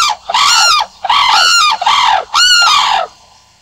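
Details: Sarus crane giving loud, harsh trumpeting calls: four drawn-out, rich honks in quick succession, each gently arched in pitch, separated by short pauses, with no other sounds standing out.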